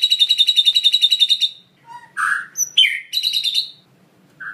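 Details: Captive White-rumped shama singing a song filled with mimicked sounds: a rapid run of about sixteen bright trilled notes over a second and a half, then varied whistles, squeaks and a buzzy rattling phrase.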